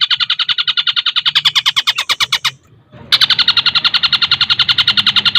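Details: Fast, dense cendet song with tengkek buto fill, meant for tutoring other songbirds: a long rapid run of harsh, evenly pulsed notes, a short gap near the middle, then another equally quick pulsing series.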